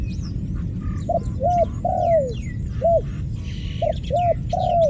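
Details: Repeated dove cooing: a short hoot, a rounded second note and a long croon dropping in pitch. The pattern recurs about three times, backed by scattered high chirps of other birds and low constant rumble.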